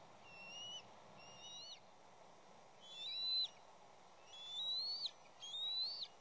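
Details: Bald eagle nest in the West End, with chicks, parents and an intruding third juvenile. A series of five high, thin, piping whistles, each sliding upward then dropping sharply, spaced about a second apart, with soft background hiss.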